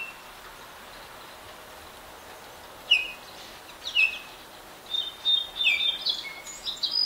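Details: Adult and juvenile Baltimore orioles: after a quiet start, single falling whistles come a second apart, then a busier series of mixed whistled and chattering notes fills the last two seconds.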